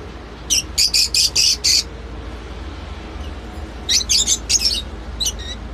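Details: Lovebird uttering a burst of five harsh shrill squawks in quick succession, a pause, then another rapid cluster of piercing chirps and a final squeak.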